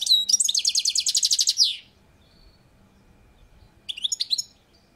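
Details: European goldfinch on a balcony in Türkiye, a song bout: a fast rattling trill of bright buzzy notes for nearly two seconds, then a pause and a shorter burst of twittering, liquid chirps.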